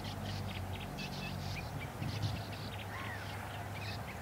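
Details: Sand martins at Park Lingezegen on 24 June 2024 give dry, rasping twitters in quick overlapping bursts, several birds calling at once over a steady low rumble.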